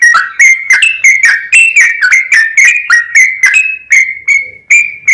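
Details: Yellow-vented bulbul in long, fast song meant to get other bulbuls singing: a dense run of clear, slurred whistled notes, slowing toward the end.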